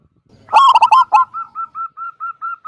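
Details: Zebra dove of the local type with a big kung voice, singing to entice other doves to call: a short cluster of strong, harsh staccato coos followed by a tidy row of about eight soft, evenly spaced rising notes.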